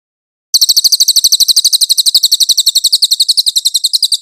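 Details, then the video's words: Cililin song for training magpie-robins, clear in tone: after a brief silence, a continuous rapid trill of high, sharp chirps runs to the end without a break, slightly uneven in spacing. "Masteran cililin Suara jernih cocok buat muray"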